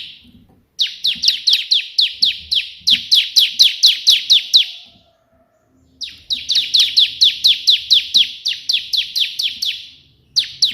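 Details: Bar-winged prinia singing energetically in the 'shot' style copied from the white prinia, a recording meant for tutoring captive birds: two long runs of rapid, high, downward-slurred chips, about four a second, with a pause between runs.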